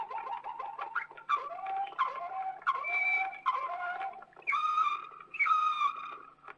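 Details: Old record from Belgium of a Waterslager canary singing varied phrases: gliding rising and falling notes, repeated sobbing slurs, and loud clear whistled tones with bubbling undertones.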